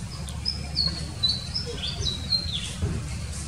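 An Oriental magpie-robin gives a run of high, thin whistled notes, some sliding downward, over a steady low background rumble.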